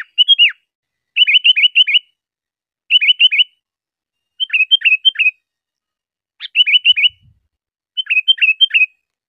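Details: Sooty-headed bulbul recording meant for teaching cage birds, with tight clusters of four to six crisp, quick chirps repeated at regular intervals of roughly one and a half seconds.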